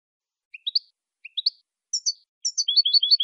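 Saffron finch singing high, sharp chirps, first in short rising pairs and triplets, then a fast run of repeated bright notes. No other sounds.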